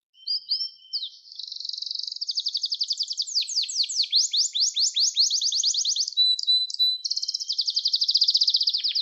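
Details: Extended Gloster canary song, recorded to train and excite canaries to sing; a few opening notes lead into long, fast, rolling trills of high slurred notes with changing speed.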